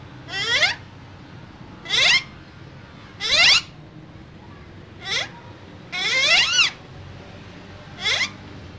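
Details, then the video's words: Two green parrots kept in a cage, said to be talking: six loud, harsh, downward-sliding squawks, each about half a second long and spaced roughly one to one and a half seconds apart. "Two Green Cute Parrots Talking In Cage"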